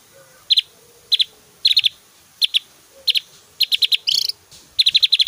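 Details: Javan grey-throated white-eye singing actively, with varied whistles and very loud, sharp 'tembakan' bursts: short rapid clusters of three to six high ticking notes, repeated about every half second, plus one brighter whistled burst near the end.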